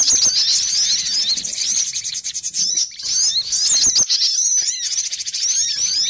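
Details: Java sparrow trapping lure call, noisy and busy: a crowded wash of high twittering and chirping notes in dense bursts, easing briefly in the middle before the chatter returns.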